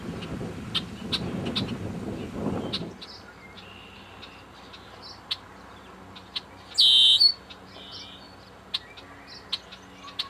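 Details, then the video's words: A red-winged blackbird at Fort Loudoun Lake, Lenoir City, Tennessee, on 31 May 2009, gives one loud, harsh, buzzy burst midway among scattered high chips and short calls, with low rumbling noise in the opening seconds. "Red-Winged Blackbird"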